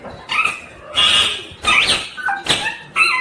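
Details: Green ringneck parrot calling: harsh, grating screeches with rasping harmonic bands, four bursts in about three seconds, a short quieter falling note between them.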